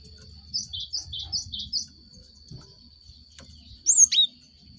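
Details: Cinereous tit lure recording meant to stimulate caged birds kept in groups to sing quickly; a run of six short high chirps, then a loud sharp whistled two-note phrase dropping in pitch, over a steady high electronic tone.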